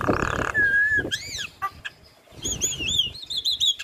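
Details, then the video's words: Chatty caged female Javan myna: a rough noisy burst, a long level whistle, then arched whistled notes and a rapid series of short bright chirps, with faint scraping sounds underneath. "Jalak Kebo gacor Full isian Biarpun Betina Tetap rajin Ngoceh"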